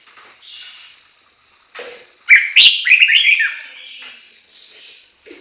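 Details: Chinese hwamei song: soft whistles build into a loud, rapid, warbling phrase of slurred notes before fading to quiet murmurs.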